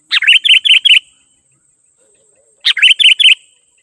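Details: Sooty-headed bulbul song played to call wild bulbuls in: two bouts of rapid, bright chirping notes, five in a row then a pause, then a similar run, clear and loud.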